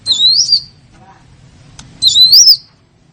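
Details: Lure call for attracting small birds: two separate high, wavering whistled phrases, each rising and falling, about two seconds apart, with faint background hum.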